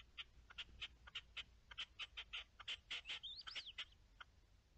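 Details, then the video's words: Partridge call, dated 10-03-21: a rhythmic chain of clipped, harsh chuck notes, roughly four to five per second, with a thin rising-and-falling whistle slipping in near the end. "Reclamo de perdiz"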